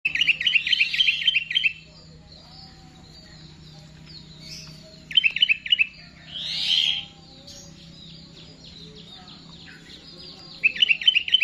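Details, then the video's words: Sooty-headed bulbul (kutilang) singing in the full "Garuda" style: bursts of rapid, bright, repeated chirping notes, a gap, then another short chattering phrase, a rougher burst, and a final run of quick notes, with a faint steady hum beneath. "Burung Kutilang full GARUDA"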